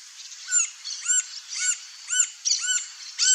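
Green-barred woodpecker giving a series of short, squeaky, arched calls, about two per second, over a high hiss of insects or background noise.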